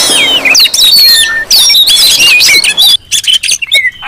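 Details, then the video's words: Oriental magpie-robins calling loudly in a lure track meant to provoke others of their kind: long clear whistles and warbled slurs over busy chattering, turning more broken and spaced in the last second. "Suara Kacer ribut Rame Banget sangat cocok buat pancingan"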